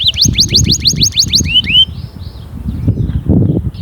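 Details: Canary singing a loud, fierce song meant to stir other canaries to sing: a fast series of about ten rising whistled notes, then two drawn-out upslurred whistles, then fading with faint low background rumble.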